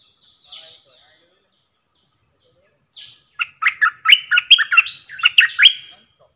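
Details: Singing decoy bulbul: a few soft hissy notes, then a fast, energetic string of clear, bouncing whistled notes repeated several times a second for about three seconds.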